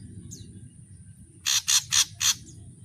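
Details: Ashy drongo, known locally as srigunting abu or saeran abu, in a song of full native variations: four harsh, buzzy broadband notes come quickly after a faint high chip, over a low background rumble.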